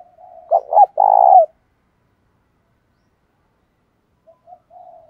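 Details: Spotted dove lure bird, 'đồng pha' voice, calling 'thúc bổi': a quiet coo, two sharp low coos and a long pulsing coo, then silence and faint soft notes at the end.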